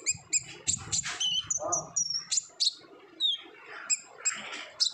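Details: Olive-backed sunbird in active 'ngobra' style song, used as a lure to get untrained birds singing: bright high chirps and short whistled notes in quick, irregular bursts, with a soft low murmur underneath.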